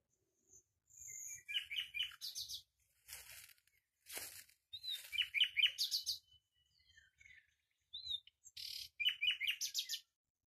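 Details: A common nightingale sings varied short phrases of quick repeated high notes mixed with harsh buzzy bursts, each phrase separated by brief pauses.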